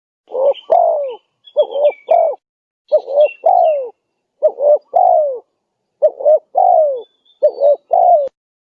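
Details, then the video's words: Repeated spotted dove cooing used as a lure for wild doves, six quick phrases of two short hoots and a falling coo, with high thin chirps of other birds above. "Suara pikat~burung tekukur gacor"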